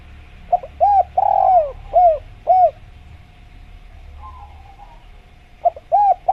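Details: Jungle-recorded spotted dove cooing: a run of hollow arched notes with a long tremulous downward-sliding coo, then silence apart from a low hum, and a fresh coo phrase starting near the end.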